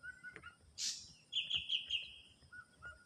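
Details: In the wild, an ashy drongo gives a loud harsh burst then a sustained ringing whistle broken into pulses, with lower clear whistles from other birds before and after.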